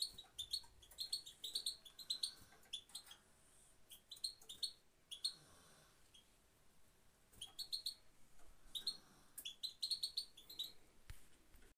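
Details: Female European goldfinch calling pit pit: bursts of sharp, high tweets in quick clusters, separated by short gaps of quiet, with a light background hiss.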